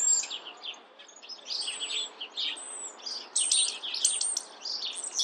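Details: Chestnut-backed chickadee calling amid a busy bird chorus: high, thin chirps and short slurred notes in the first seconds, then a run of harsh, buzzy notes repeated about every half second, over a steady background hiss.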